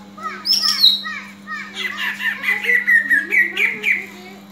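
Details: Greater green leafbird fighting call meant to rouse other leafbirds' fighting spirit: high slurred whistles, then a run of quick chattering notes repeated steadily, over a constant low hum.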